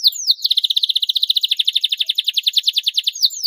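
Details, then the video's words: Canary song meant to get other canaries singing: a dense, steady rolling trill of rapid whistled pulses, framed by short downward sweeps at the start and end. "SUARA PANCINGAN KENARI GACOR PERANGSANG JITU KENARI BAHAN CEPAT BUNYI"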